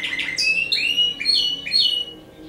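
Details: Short burst of Timbrado canary song from a breeder's bird, a string of loud upward-sliding whistled notes in quick succession, then fading away.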